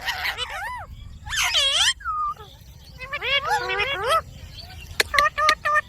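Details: Talking pet Indian ringneck parakeet gives wavering, voice-like syllables in three quick bursts, then a few sharp clicks and short tones.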